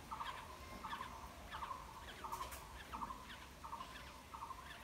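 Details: Nestling black-hooded orioles being fed in their nest: evenly spaced rasping notes, around 86 a minute, each a short buzzy burst with fainter higher overtones, over quiet low hum.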